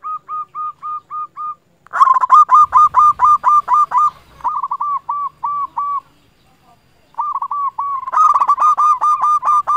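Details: Vigorous local zebra dove used as a trapping lure to make rivals answer: steady, evenly spaced hooked coo notes, then long fast runs with a harsher rattling edge, broken by one short silence.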